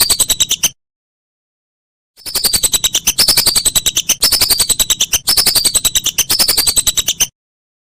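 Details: Whistling duck call for songbird training masters: a short burst of quick piercing whistles, a pause, then a five-second stream of rapid notes with repeated falling slurs.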